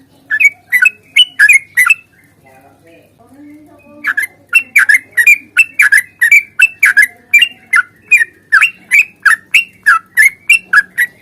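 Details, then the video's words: Sooty-headed bulbul long 'ropel' fighting song meant to make other birds sing: rapid chains of bright chirping notes repeated nearly three per second, a short pause, then a longer steady run. "trucukan GACOR tarung ropel panjang ini AMPUH bikin trucuk gacor bunyi NYAUT"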